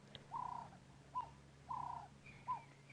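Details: Ring-necked (Cape turtle) dove calling at dawn from a marula tree in a South African game reserve on Sept 19, 2016, giving soft, low coos, a long coo then a short clipped one, twice; faint higher whistle from another bird near the end.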